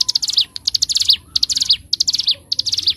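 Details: Bar-winged prinia, ciblek gunung, on an Indonesian training track: quick bursts of rapid high ticking notes, several per phrase, each burst closing on a sharper descending note, phrases tumbling close together.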